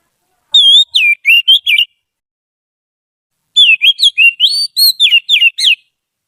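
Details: Trained Oriental magpie-robin kept for tutoring other birds' song: two bursts of quick whistled notes, each a string of short swooping and twisting whistles, the second burst longer, with a pause of almost two seconds between them.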